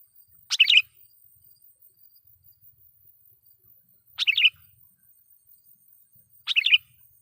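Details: Lure song of a sooty-headed bulbul for provoking wild birds: three short, bright, gurgling phrases spaced unevenly over seven seconds, each a quick rush of chirps, with quiet between.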